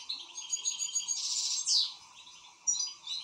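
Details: Excited European goldfinch with a softer, somewhat muffled run of high twittering notes and a buzzy rasping phrase, then one sharp downslurred note and scattered chirps, over a steady low hum.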